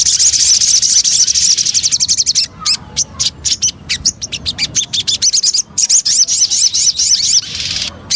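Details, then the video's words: Javan cochoa lure song, opening with a fast rattling trill, then choppy bursts of high, clipped notes and repeated rising chirps. "Pancingan Burung Sogon"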